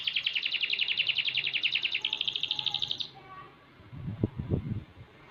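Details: Young six-month-old canary in full, vigorous song: a fast buzzy trill of rapid repeated notes for about three seconds, then a pause with a few low knocking thumps in the background.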